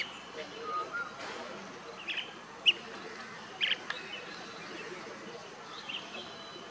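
Blue-tailed bee-eater giving short, rolling trilled chirps, a few scattered notes over several seconds against a steady background hiss.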